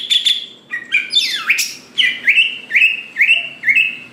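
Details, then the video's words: Greater green leafbird singing to incite other leafbirds: a few sharp chips and a swooping harsh note, then a steady series of about six rising whistled notes repeated roughly twice a second. "Cucak Ijo Gacor Paling Pintar Memancing Cucak Hijau Lain Agar Cepat Bunyi Gacor"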